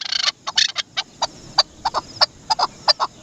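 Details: Chukar partridge (dasi chakor) giving short clucking chak notes, a noisy burst at the start, then single and paired notes spaced irregularly about every quarter to half second.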